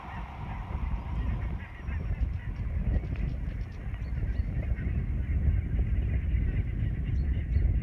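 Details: Ross's geese calling at Parikkala in 2020 over a steady low rumble, with dense overlapping short high honks and yelps from a large flock.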